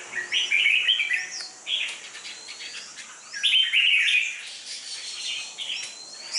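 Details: Untrained red-whiskered bulbul with a dark bib and fierce temperament, being readied for contests, delivers two short bursts of liquid warbling notes separated by quieter pauses.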